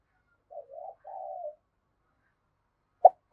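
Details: Decoy spotted dove uttering two soft, low, wavering coo notes, followed by silence and then two sharp knocks.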